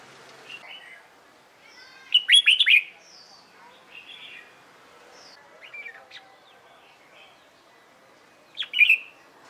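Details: Red-whiskered bulbul trained for competition singing: one loud quick warbled phrase, scattered faint chirps and soft whistles, then another short bright phrase near the end over a quiet background.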